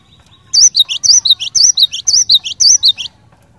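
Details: Actively singing cinereous tit whose song is meant to set other cinereous tits singing; roughly five rapid two-part phrases, a bright whistled note followed by a lower slurred one, repeated almost twice per second.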